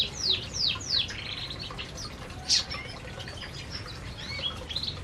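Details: Canaries eating inside an aviary; three clear downward-sweeping chirps open, followed by softer scattered high notes, a sharp loud chip and some wing flutter.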